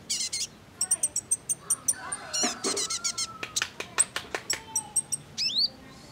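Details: Female kolibri ninja sunbird voice played to provoke males into song: rapid bursts of high, thin chips and buzzy twitters, short downslurred whistles and a brief trill, densely repeated throughout.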